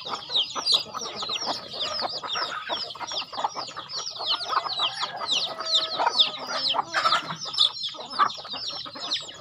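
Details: Farm chickens at feeding time, a dense flock chorus of high, short, downward-sliding peeps repeated rapidly and overlapping, mixed with lower clucks and a few steady tonal notes.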